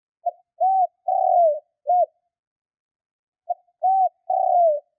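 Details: Spotted dove coo for rousing newly caught doves: a four-note phrase of a quick pip, an arched coo, a lengthy falling coo and a brief last note, then a second phrase begins three seconds later. Clean, with no background.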